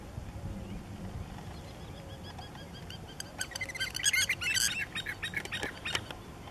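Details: Spur-winged lapwings (Vanellus spinosus) mating in Cyprus, giving sharp, metallic, high notes that build into rapid, excited chattering bursts after a quieter start, with low wind rumble underneath.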